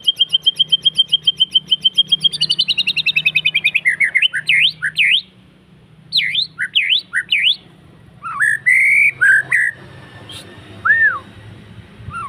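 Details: White-rumped shama (murai batu) song used as pancingan for provoking or training other birds: a fast trill of high repeated notes slides into sweeping whistled phrases, separated by short pauses, ending with a single downslurred note.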